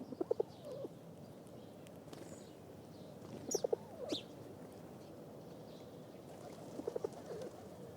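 Pigeons give soft, low coos in short bursts a few seconds apart, with a few faint higher chirps and light background hiss.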